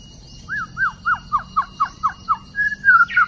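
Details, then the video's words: Song of a wild white-rumped shama, 12 December 2016, trapping context: a string of short arched whistles given several times a second, then a longer level whistle and a brighter rising phrase at the end. "White-rumped shama wild - Sounds birdsong great"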